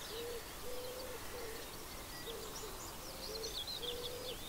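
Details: Common cranes visiting Gallows Bridge Farm, Upper Ray Meadows reserve, Buckinghamshire, UK, in May 2018, filmed through a telescope. Distant cranes give short, low, hooting trumpet notes about every half-second while small birds chirp and twitter high above.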